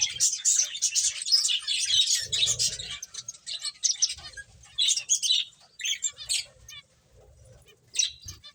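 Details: Playing finches chirp in dense high twittering runs at first, then thin out into scattered chirps and short bursts separated by quiet spells.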